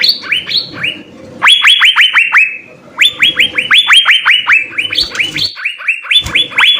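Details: Cucak biru in vigorous full-filler song, several quick runs of bright rising whistles separated by short breaks, notes varying between lower and higher pitches.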